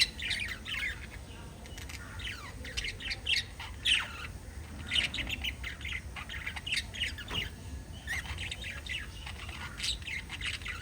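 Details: Budgerigars chattering: busy overlapping squawks, short chirps and little warbled notes in an irregular stream, with some brighter whistled chirps standing out and a low hum underneath.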